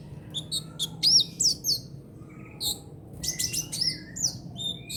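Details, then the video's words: Brown-throated sunbird, trotol-style song for tutoring songbirds: clusters of bright high chirps and looping slurred whistles in two bursts, with a quieter interval between them. "KICAUAN KOLIBRI NINJA TROTOL UNTUK MASTERAN BURUNG BERKICAU"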